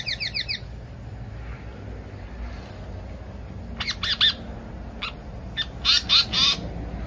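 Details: Lure recording of a pied fantail, locally seriwang or tali pocong, for bird trapping: a brief chatter at the start, then spaced loud harsh bursts of two to three buzzy notes, with a steady high electronic tone behind.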